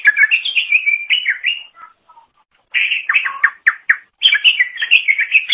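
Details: Greater green leafbird singing strongly for songbird training: fluent, rapid warbled whistles, a short quiet break with soft low notes, then dense, bright chattering phrases.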